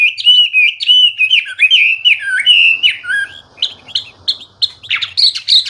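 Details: Hwamei, locally wambi, singing vigorously (gacor) in full isian style with a loud, clear voice: slurred whistles repeated near one pitch, then shorter, higher, choppier notes at the end.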